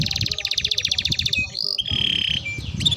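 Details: Belgian canary (also tagged Timbrado) singing a canary training song: a fast, rolling trill of rapid repeated notes, then sustained whistled tones and brief chirps, over a low background rumble.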